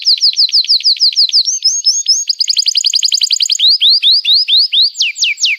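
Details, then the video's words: Canary in long, lively song used as a lure and training song for young canaries: rapid series of high downward-sweeping chirps, a fast buzzy trill, then slower rising whistled notes, loud and clean. "Kenari Gacor Panjang Cuit Cuit Emosi, Pancingan Kenari Paud Belajar Bunyi"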